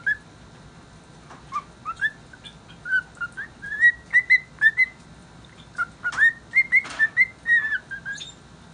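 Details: A contented cockatiel whistling a tune: bright, slurred notes, many swooping upward, repeated about twice a second in loose phrases, with faint clicks between them.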